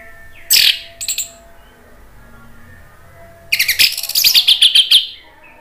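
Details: Orange-headed thrush song meant to goad other thrushes into replying: two short, sharp bursts of high notes, a quiet gap, then a rapid stuttering series of bright, ringing chips lasting over a second.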